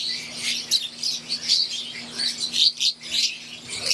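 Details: Aviary flock of pure wild green Fischer's lovebirds and Euwing lovebirds: sharp squeaky chirps in quick bursts, several birds calling at once, rising and falling in loudness, over a faint constant hum.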